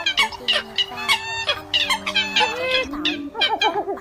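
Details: Eurasian coot calls played as a lure for trapping: a busy chorus of many overlapping harsh, nasal honks and short sharp notes in irregular bursts, over steady low humming tones.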